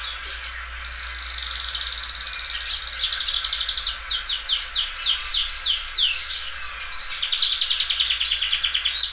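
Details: Belgian canary, a well-kept loud singer that stretches its song many times, here a long sustained rolling trill followed by repeated downward-swept notes and rapid buzzy phrases, low hum behind.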